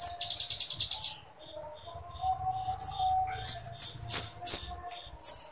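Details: Sooty-headed bulbul singing woodpecker-like material for training other birds: a quick high rattle, then loud, sharp chips spaced about a third of a second apart. A steady low tone and a faint hum run underneath.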